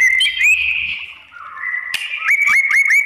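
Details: White-rumped shama song to incite other shamas to answer: drawn-out whistles shifting between pitches, a sharp click, then five quick repeated upswept notes.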